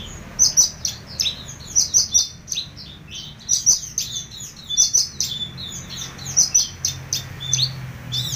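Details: Horsfield's bush lark song, lively high chirps and quick slurred whistles in clustered bursts about a second apart, sharp and energetic, with low hum underneath and faint music.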